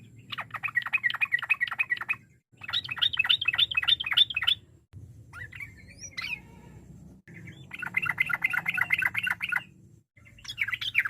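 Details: Chattering ropel song of a sooty-headed bulbul, used as a lure to make rival birds reply. Dense bursts of quick buzzy notes last two to three seconds each. Short gaps separate them, with a few sliding whistles in between. Low background hum.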